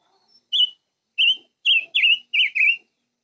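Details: Silver-eared mesia song: a faint brief note, then six loud, high whistled notes, the first two spaced apart and the rest tumbling together with a warbling, up-and-down quality.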